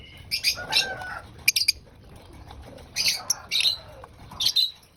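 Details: Lovebirds during breakfast feeding: short harsh high-pitched squawks and chirps in separated bursts, with quieter gaps and a few fainter whistled notes between the calls.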